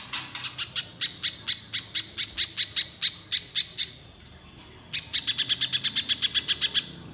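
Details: Spiderhunter in full song, sound used to prompt untrained birds to sing: two fast series of sharp, high chips, about a dozen each, separated by a thin steady whistle, with a quiet low hum beneath.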